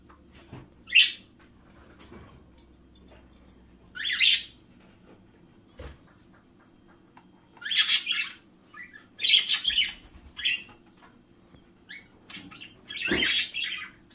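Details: Two pet budgerigars at breakfast time give sharp, scratchy chirps and squawks in short separate bursts, with a low indoor hum behind.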